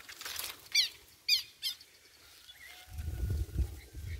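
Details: Rufous-bellied thrush fledgling recorded 28 November 2022 giving three loud, raspy, buzzy begging notes in quick succession, then a thin whistle, followed by rustling and handling noise.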